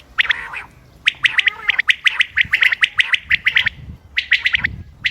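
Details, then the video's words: Common quail, recorded on 28 May 2025 as a hunting lure. Crisp, rapid clicking notes come in a fast, even sequence, pause briefly, then resume in a short closing burst. "quail bird sounds common quail bird sounds بٹیر کی آواز شکار کیلئے"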